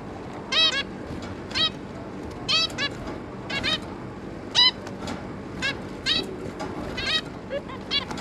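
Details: Zebra finches, two parents and three juveniles, 11 May 2022: about one nasal trumpet-like beep per second, some in quick doubles, with faint low background noise.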